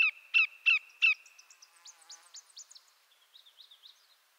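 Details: Four quick down-slurred notes from a greater yellowlegs, a shorebird of eastern North America and Canada, then a scatter of higher, thinner chirps that fade out.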